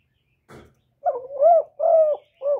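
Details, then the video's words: Decoy spotted dove cooing continuously to lure wild doves, recorded cleanly. A soft rustle comes first, then a deep phrase of three coos, a wavering note, a long steady note, and a short closing coo. "CU GÁY LIÊN TỤC KÍCH BỔI RẤT HIỆU QUẢ"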